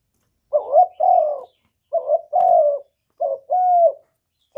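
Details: Cooing spotted dove, whose call is used to provoke replies from other doves: three phrases about a second apart, each a brief stuttered lead note and then a longer, even, throaty hoot, with no other sounds.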